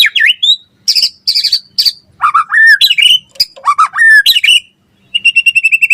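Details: Gacor song of a White-rumped shama for prompting other shamas: harsh squawky notes mixed with downslurred and rising whistles, ending in a rapid run of evenly repeated whistled notes.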